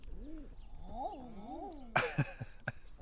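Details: Common eiders, including a male, in a harbour on the Northumberland coast, UK, on a sunny, windy day, give soft, dove-like crooning calls that rise and fall, a drawn-out 'ah-ooo' repeated twice, followed by a few sharp knocks and splashes.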